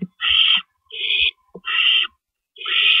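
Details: Owl nest at night, early morning of April 4, 2012, adults delivering and removing rabbits. Four broad, hissing screeches come roughly every three quarters of a second, with a brief squeak and dull bumps between them.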